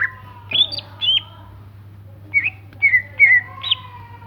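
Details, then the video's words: Greater green leafbird giving sparse, clear whistled notes, some slurred upward and others dropping, with short gaps between them, above a faint constant low hum. "burung cicak ijo gacor"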